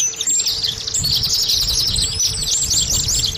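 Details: Oriental white-eye lure song to coax caged birds into song: a rushing stream of high twittered whistles rising to curling notes, over low rumbling background noise.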